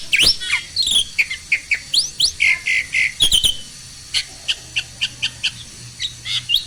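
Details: Captive black-winged starling singing, played to encourage silent starlings: sharp upsweeping whistles and scratchy notes in quick succession, then a steady series of short clicky chips repeated about every third of a second.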